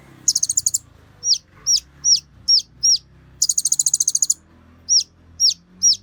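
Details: Kolibri Ninja sunbird singing as a tutor recording to provoke other Kolibri Ninja. Very high buzzy trill bursts alternate with short, sharply down-slurred whistled notes repeated about every half second. A faint low hum sits underneath.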